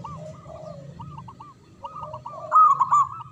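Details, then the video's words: Local zebra dove singing manggung, with quiet repeated looped notes and lower drawn-out phrases, ending in a loud rolling burst, over soft low coos. "Perkutut Lokal Gacor Suara Besar Manggung"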